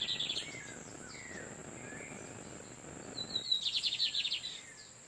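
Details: Lined seedeaters exchanging song in the wild as a female sits on her nest: a short buzzy trill opens, soft slurred chirps follow, then a louder fast trill of evenly pulsed notes, over a steady high-pitched whine.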